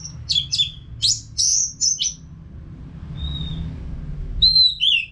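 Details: Singing caged Orange-headed thrush from Singaraja, Bali, recorded as a training song for other birds: lively varied whistles and sharp slurred notes, a pause, a single soft whistle, then a brief descending phrase; low hum continues underneath.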